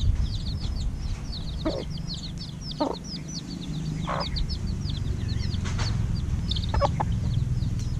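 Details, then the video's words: Domestic chicks just over a week old at evening feeding time, giving a steady stream of high, downward-slurred peeps, several birds overlapping, with occasional tapping knocks and a constant low rumble underneath. "ให้อาหารลูกไก่ยามเย็น เพิ่งฟักได้อาทิตย์กว่า"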